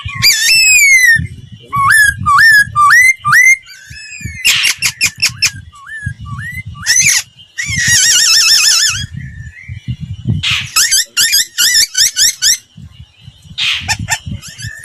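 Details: Laughingthrush singing a lure song used to train other birds' voices: loud, clear whistles with rising hooked notes in quick series, then fast buzzy trills and wavering warbles, all repeated with short pauses. Low soft thumping sounds run underneath.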